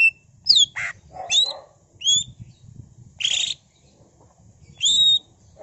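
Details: Lively song of a greater green leafbird packed with mimicked phrases, meant to prompt other leafbirds to sing; quick high whistled slurs alternate with short harsh buzzy bursts, with faint low rumble beneath.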